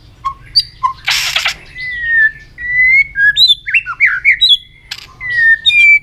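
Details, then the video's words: White-rumped shama trained to sing fast and strong: low whistled notes, a loud noisy burst, then long clear whistles and quick slurred descending phrases with high chips, ending in another long whistle. "luyện chòe hót nhiều giọng.kích chòe lửa hót nhanh căng"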